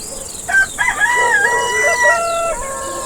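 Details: Rooster crowing once: a loud harmonic cock-a-doodle-doo with a few short rising notes, then a long level held note that drops at the end, against quiet background hiss.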